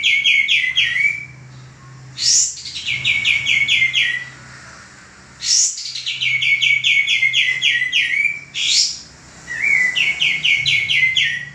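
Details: Male common iora in full song, used to train cage birds: fast series of sweet descending chirps in bursts, separated by short harsh buzzy notes, with quiet pauses between phrases.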